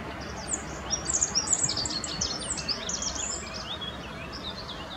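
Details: Rock bunting in Germany's Moselle valley, Apolloweg near Valwig, delivering a hurried, high-pitched jumble of thin chirps and slurs for about three seconds, then fading to quiet background noise.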